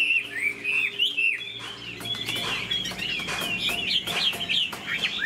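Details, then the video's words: A caged Chinese hwamei with a spread tail, wing- and tail-flicking display, sings a steady flow of clear whistled notes and wavering slurs, varied and rapid, over a faint low background hum. "Họa mi đuôi xòe chơi cánh, bóng bộ cực đẹp, hót vẩy đuôi khướu"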